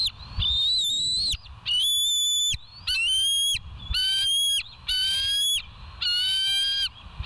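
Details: Bald eagles at West End on a live nature cam, 14 September 2023: six loud, piercing, ringing calls rich in overtones, each about half a second long and arriving roughly every second with short gaps of quiet.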